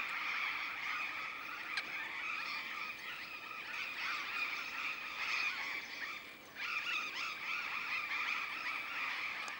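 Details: A flock of burrowing parrots (Cyanoliseus patagonus) in Catamarca, Argentina, keeps up a dense, continuous chorus of harsh, grating screeches, many birds calling over one another with only a brief lull.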